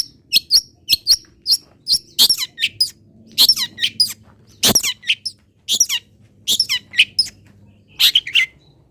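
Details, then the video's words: Long-tailed shrike tutor song of the local Pati 'isian' type: clusters of sharp high chirps and short whistled upslurs separated by brief pauses, a faint hum in the background. "ISIAN WAJIB BURUNG CENDET - 99,01% PATI ADA ISIAN MODEL INI | MASTERAN CENDET LOKALAN"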